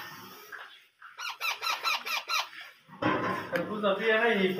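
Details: Hand-fed parrot chicks beg with a quick series of pulsed, squeaky calls, seven or so in a burst, followed by a person talking over steady room noise.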